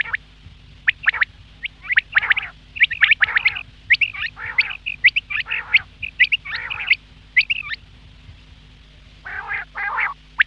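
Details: Quail calling, sound meant for the morning: dense bursts of harsh, nasal, squawky notes mixed with sharp high chirps, overlapping in quick runs for about seven seconds, a short pause, then another burst, over a steady low hum.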